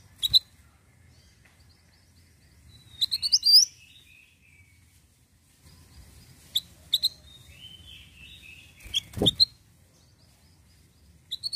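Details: Lively ashy tailorbird singing: scattered sharp high chips, a brief rapid flurry of upward-sweeping notes, then softer descending warbles from other birds in the background, with a low hum throughout.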